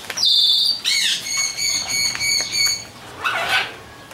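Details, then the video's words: Macaws in an aviary, recorded on a Sony HDR-CX130 camcorder: a loud harsh squawk opens, then a run of rapid raspy harmonic pulses lasting about a second and a half, and a final rougher squawk near the end. "Macaw's in the Aviary"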